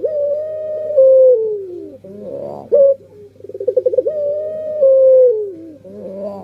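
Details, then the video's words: Puter pelung dove cooing: long, steady, drawn-out coos that sag slightly at the end, broken by quick bubbling, stuttered pulses, with a low steady hum underneath. "Suara Burung Puter Pelung//Sound Dove Singing"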